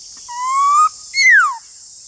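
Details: Black-throated laughingthrush in a singing duel with another laughingthrush, giving one long, slowly rising clear whistle followed by a short loud note sliding steeply downward, with constant high hiss behind.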